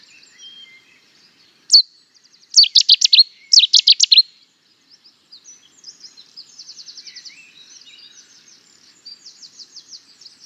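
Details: Cetti's warbler bursts into song: one loud lead note, then two explosive phrases of rapid, emphatic high notes. Softer trilling and twittering from other birds follow over the final seconds.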